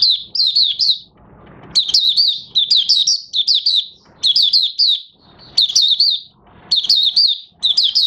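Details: Oriental white-eye beginning to sing after moult, new white feathers almost fully coloured, recorded 30 August 2022; bursts of high, sweet, rapidly slurred chirps in quick phrases, broken by brief pauses with faint low background murmur.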